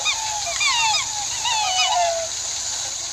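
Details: Swans, white and black, calling: a chorus of overlapping honking notes that slide downward, several birds at once, steady background hiss throughout.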